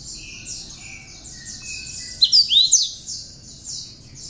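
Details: Song of a cinereous tit carrying bar-winged prinia notes, for training songbirds: high rapid chattering trill with a few lower drawn whistles, then a loud burst of sharp swooping whistles past mid-clip.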